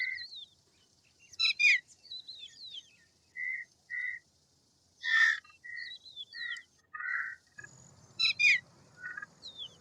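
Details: Indian roller, known locally as paala-pitta or neelkanth, giving loud harsh rasping bursts at intervals amid clear tonal whistles and falling whistled notes from other birds.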